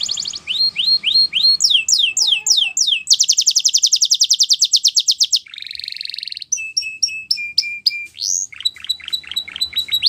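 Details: Spanish Timbrado canary song moving through tours: curved whistles, a long dense ringing roll, a nasal buzzy trill, level clipped notes, then a rising sweep into fast falling whistles.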